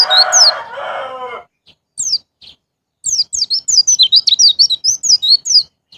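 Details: White-eye (pleci) song in the ngalas ngeplong style, played to prompt caged birds to sing: a lower, harmonic crowing-like call opens, followed by a fast run of sharp, high, down-slurred notes.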